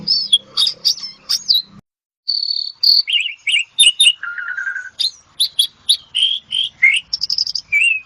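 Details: Asian pied starling in ngetop song, meant as therapy sound: high whistled notes and rapid chips, a short break, then a steady buzzy rattle and repeated clear whistles. Faint low hum at the start.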